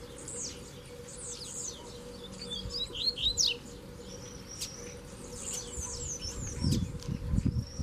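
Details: Caged double-collared seedeater pair in the bush during a fibre-pulling session, the captive male dueling a strong free-flying black male. Rapid descending whistled slurs come in quick runs, with thumps and handling noise toward the end.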